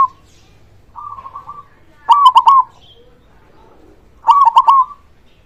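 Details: Local zebra dove singing loudly to stir lazy or silent doves into song: fluttering, stuttered cooing phrases about every two seconds, with softer cooing from another dove between them.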